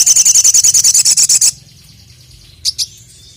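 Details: Crested jay (sogon, sogok ontong), a kept contest songbird, calling to challenge a rival: a fast, even burst of about ten sharp high notes in one and a half seconds, then near silence with two brief high chips.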